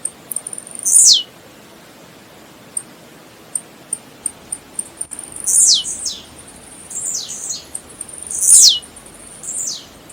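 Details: Blue-black grassquit (tiziu) song meant to stimulate singing: a strong falling buzz, a stretch of light ticking, then three more shrill descending buzzes in close succession.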